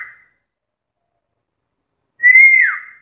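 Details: Black-capped lory known here as a talker, heard ending one note and then, after two seconds of silence, giving a single clear whistle that arches slightly and falls off.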